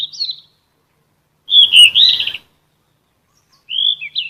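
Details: Vocal-therapy recording of a sikatan emas, a Ficedula flycatcher of shrubs and trees: a clear whistled note, a loud trilled and warbled phrase, and a falling slurred whistle after a pause.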